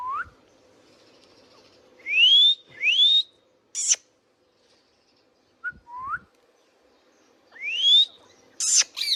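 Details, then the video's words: Pet Indian ringneck parakeet making paired rising whistled calls and abrupt shrieks, with a soft short note in a quiet gap and more whistles and screeches at the end. "Indian Ringneck parrot natural sounds | Ringneck parakeets sounds video"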